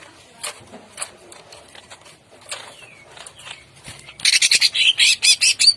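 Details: Greater green leafbird with rough 'ngentrok jambul' bursts in the morning. A few soft high chips and thin sliding whistles come first, then a loud, scratchy, rapidly pulsed stretch of high buzzy notes that grows stronger toward the close.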